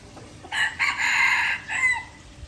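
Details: Red junglefowl crow from Aceh, played as a trapping lure: a single loud, hoarse crow with a bright opening burst, a sustained rasping middle, and a short falling final note, over quiet background.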